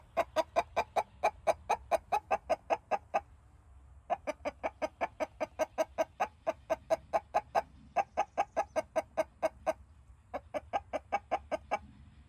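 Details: A snoring rooster: rapid, evenly pulsed nasal puffs, about two or three a second, in runs of ten to twenty separated by short pauses, over a low steady hum.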